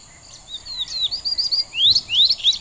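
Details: Morelet's seedeater song: short, bright whistled notes, several sharply rising slurs, quickening into a brief burst of chirps near the end, over a steady high hiss.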